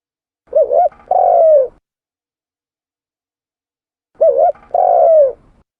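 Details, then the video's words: Spotted dove lure coo repeated twice, about three and a half seconds apart. Each phrase has a quick wobbling double coo and then a longer soft coo that drops in pitch. "Suara tekukur pikat mp3 /suara burung tekukur / เสียงนกเขาใหญ่ / Turtle dove sound effects"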